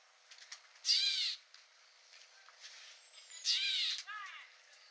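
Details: Two raspy, cat-like mews from a Gray Catbird recorded in the field at Newman Lake, Washington, USA, about two and a half seconds apart, with soft ticking sounds and hiss between them.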